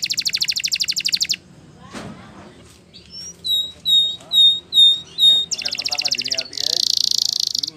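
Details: Training song of a Spanish Timbrado canary. A high rapid trill opens, then after a click and a quiet pause come five clear whistled notes, each about half a second, and then two fast buzzy rolls.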